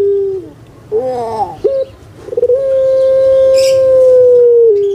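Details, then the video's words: Pet puter pelung collared dove, a well-known Javanese singing type, gives a falling wavy note and gurgling, then a quick stutter before one very long, level, clear hoot lasting about two seconds. "PUTER PELUNG SUARA MERDU STABIL"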